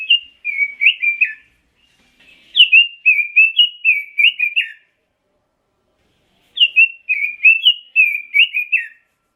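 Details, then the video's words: Pekin robin, red-billed leiothrix, delivering three bright warbled phrases of quick up-and-down whistles, each phrase lasting a couple of seconds with short silences between, otherwise quiet. "Kicau Burung ROBIN"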